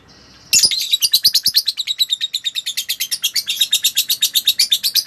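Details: Lovebird song recorded for teaching other birds: an abrupt outburst of rapid, squeaky chattering notes, roughly six per second, steady and shrill throughout.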